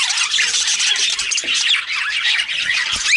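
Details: Budgerigar chatter, busy and unbroken: harsh squawks mixed with rapid twittering and warbled notes, steady in loudness throughout.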